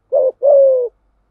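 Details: Spotted dove cooing, a lure recording to draw wild doves with its full set of calling, urging and soft cooing phrases: a short low coo, a brief gap, then a longer steady coo gently falling in pitch. No background noise.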